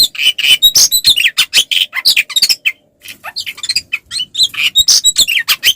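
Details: Oriental magpie-robin, kacer, in a provoking fighting song: harsh squawky chirps and buzzy notes in quick succession, about three per second, with a short silent break near the middle before the scratchy outburst resumes.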